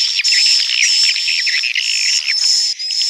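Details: Swiftlet roosting calls forming a thick, chattering wash of twittering notes beneath a steady piercing whistle, with a few faint lower sliding notes toward the end.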